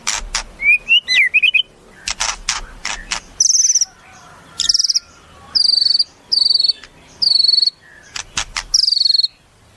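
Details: Caged white-rumped shama in song: quick rising whistles and dry clicks, then a series of bright, high, clipped whistled notes repeated in short bursts with brief pauses.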